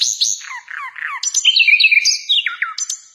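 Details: A songbird given as a nightingale, used as a tutor recording for other songbirds, sings a fast, varied run of high chirps and short downward-slurred whistles, each phrase tumbling into the next.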